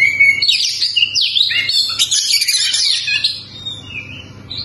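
An Oriental magpie-robin sings a rich, fast run of varied whistles, trills and chattering notes, high-pitched and almost without pause, with a faint low hum beneath.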